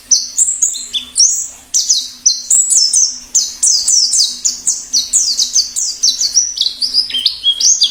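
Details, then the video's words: Wild white-eye, plengi ngalas song for tutoring and luring wild white-eyes: a dense, busy stream of high thin notes, falling slurs mixed with chattering, twittering phrases, barely pausing throughout. "Suara plengi ngalas || perangsang bunyi cocok untuk masteran pleci dan pikat burung pleci liar"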